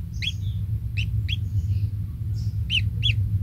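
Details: At the nest, one small kingfisher nestling receives insects from its parent, giving brief high squeaky chirps in loose pairs, then a final pair near the end, with steady low rumbling noise beneath.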